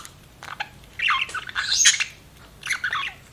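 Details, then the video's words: Budgerigar chirping: a short squeaky warble followed by a rising scratchy chatter, a brief pause, then another squeaky phrase. "BUDGIE CHIRPING SOUNDS"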